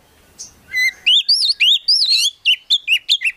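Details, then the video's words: An Oriental magpie-robin kept as a prospect bird sings a short run: a soft opening note, then a string of clear, wavering whistled phrases, about eight loud ringing notes in three seconds. "KACER GACOR FULL ISIAN BIKIN KACER APAPUN LANGSUNG NYAUT"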